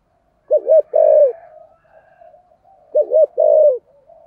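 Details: Decoy spotted dove singing in the 'giọng thổ' style to lure wild doves: two matching phrases, each a quick double coo then a long mellow coo sliding down, with quiet purring notes between.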